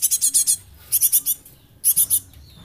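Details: Young Java sparrow, described as now rare and nearly extinct, calling as a lure for training other birds: three quick bursts of four or five sharp, very high chipping notes, separated by short pauses.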